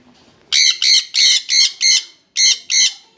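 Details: Two jenday conures kept as a pair give a series of seven loud, harsh, grating squawks, evenly spaced about a third of a second apart with a brief gap before the last two.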